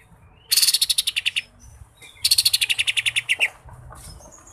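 A green leafbird sings two bursts of rapid, bright, chattering notes, about ten a second, each lasting roughly a second, with a quiet low hum beneath.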